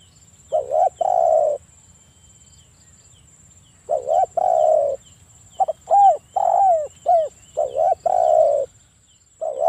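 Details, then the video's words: Provoking lure calls of a breeding-condition spotted dove: groups of low, soft coos roughly every two seconds, short doubled notes leading into longer steady coos, with a thin constant high whine behind. "PANCINGAN TEKUKUR AGAR BUNYI (EJEKAN MENTAL BIRAHI PEMICU BUNYI)"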